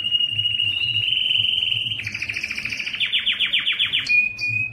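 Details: A yellow canary sings fast rolling trills, about four notes a second, then shifts to a brighter tour of quick down-slurred notes and high chips, with a faint low hum underneath.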